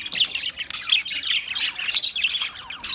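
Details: Australian parrots producing fast, tumbling high chirps and scratchy squawks in a nonstop jumble, with a piercing peak around the two-second mark.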